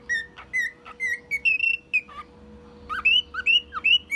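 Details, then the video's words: Male cockatiel, one year old, singing tunes and imitating a car alarm: a rapid run of clear whistled notes that climb step by step, followed by a group of quick slurred whistles, with a faint background hum. "Calopsita imitando alarme de carro e outros sons"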